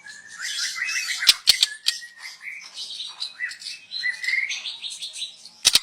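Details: Young wild white-rumped shama, song meant as a lure: busy continuous chattering warble with buzzy notes and a few sharp clicks, steady and fairly quiet.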